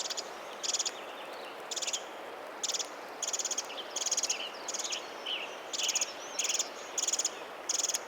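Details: On a misty late-May morning after heavy rain in the old-growth redcedars of Ross Creek Cedars, Montana, a nest-building Pacific wren carrying a leaf gives insistent, high staccato alarm chips at the observer. The chips are often doubled, once or twice a second, over steady rain hiss with another bird faintly calling.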